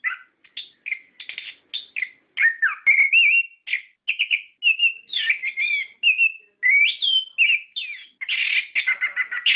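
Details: Orange-headed thrush singing its rolling ngerol song, used to stir kept birds into singing: a long, unbroken stream of mixed whistles, warbles and harsher buzzy notes, steadily loud throughout.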